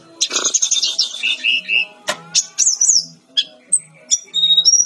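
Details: Brown-chested jungle flycatcher singing actively in a training recording: a dense buzzy high burst, then scattered short whistles and zigzag notes with pauses, over a faint low hum.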